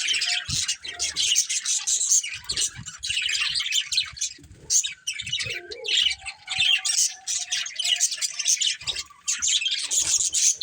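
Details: Paired breeding budgies chirp and warble continuously, a long, dense run of high, rasping twitters broken by a few short pauses.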